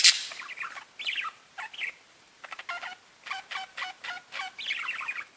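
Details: Pet budgerigars mix sharp squeaks and warbled chirps with a run of nasal, evenly spaced tooting notes, ending in a rapid twittering chatter.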